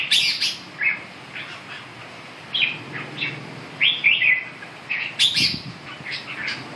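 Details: Red-whiskered bulbul giving scattered sharp chirps and short warbled whistles, spaced irregularly with quiet gaps, a few louder twittering notes near the end.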